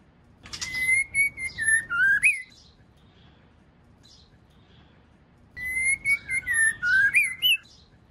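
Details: White-rumped shama, female calling to stimulate the male; the same clear whistled phrase of sliding notes sung twice, about five seconds apart, with quiet background between.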